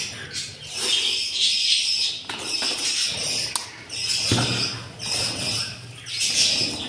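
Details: Hungry yellow budgerigar chicks in a nest on day 7 of hatching from four eggs, tended by their parents: dense, continuous high chittering and squeaky calls with brief pauses, punctuated by a few sharp clicks and rustling.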